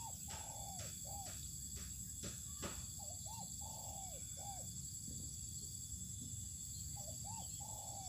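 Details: Spotted dove set out sunning on open land. It gives soft, arched cooing notes in quick runs of two to four, with a pause before more coos near the end. Sharp clicks sound early on over a constant high insect hiss.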